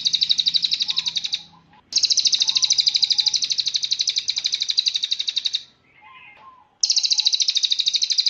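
Cililin songbird delivering long, high, buzzy trills made of rapid pulses about three per second, broken by short pauses and faint lower whistled notes.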